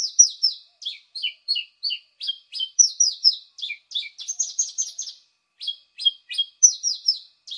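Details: Lure recording of a paddyfield pipit: sharp, high, chirping notes in clusters, mixing quick downward slurs with clipped chips, a busier trilled burst midway, then a short pause before the phrases resume.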